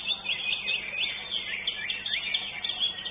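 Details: First-placed greater green leafbird at a song contest held in an arena. It delivers fast, looping, high warbled phrases that repeat every half second or so over a quiet low hum.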